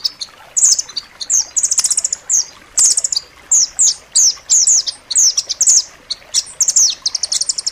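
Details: Dense, sharp training song of a striated grasshopper-warbler for tutoring caged songbirds: a continuous stream of very high, quick slurred chirps and short rattles, varied and energetic, with scattered sharp clicks between phrases.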